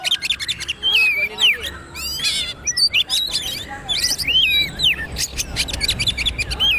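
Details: Kacer magpie-robin song for training, made of a dense stream of varied whistled slides, chips and harsh clicks over a busy background.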